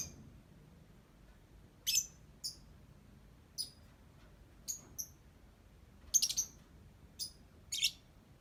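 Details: Caged lovebird described as good at ngetik, uttering brief high-pitched chirps about every second or so, several in rapid doubled clusters, against near silence.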